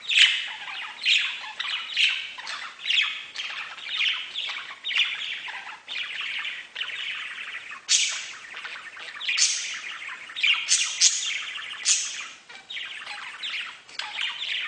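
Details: Budgerigars in a bird-house chatter in a dense, continuous stream of scratchy chirps, squawks and warbling notes while playing and feeding.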